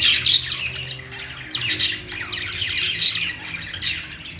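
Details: Pet budgies in song give bursts of rapid, harsh chattering and squeaky chirps, with louder peaks near one and a half, three and almost four seconds over a faint low hum.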